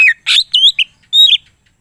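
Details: A greater green leafbird giving a brief full-repertoire phrase: a whistle, a harsh buzzy note, and then drawn-out rising and level whistles.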